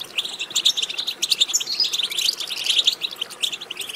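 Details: European goldfinch twittering song meant to stimulate goldfinches to sing: a dense, unbroken stream of fast, tinkling chirps and buzzy notes, high-pitched and bright, continuing for the whole stretch.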